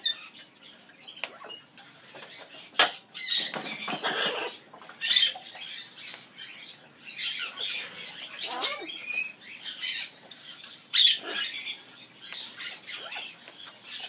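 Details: Amazon parrot at an aviary singing its skimmeradinkadinkadink song: bursts of harsh, buzzy, high chatter and squawks in irregular clusters, with a few short wavering whistled notes between noisy broadband outbursts.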